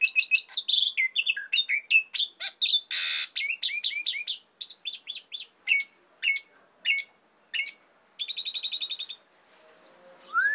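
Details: Vigorous Asian pied starling song for training songbirds: a busy chatter of slurred whistles with one harsh noisy burst, then spaced sharp chirps, a buzzy trill, and a final rising whistle.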